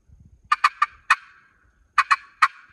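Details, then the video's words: A male wild turkey gobbler, heard drumming earlier and approaching over a hill during a spring hunt, gobbles in a rapid, rattling burst of throaty notes, pausing about a second before resuming; the hunter moves to follow the gobble. "He's walking from here, so I think I'm gonna go after that gobble."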